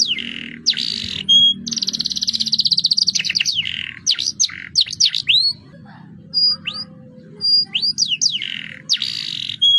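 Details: Canary singing a roll song intended to prompt other birds to sing: descending whistles, a long rapid buzzy trill, swift slurred notes, a quiet gap with short high whistles, then renewed swooping phrases.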